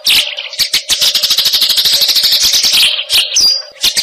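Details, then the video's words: Fighting Eurasian tree sparrow giving a fast, tight, single-note song: dense runs of sharp, high chirps, roughly three per second, with a steady low hum beneath and a short whistled note near the end. "masteran gereja tarung vs cililin speed rapat satu nada"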